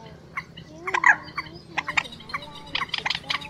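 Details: Quốc biển and trích ré, two birds calling, played as a night-net trapping lure during the March 2024 migration: scattered harsh chattering bursts mixed with soft, slurred, rising and falling whistles.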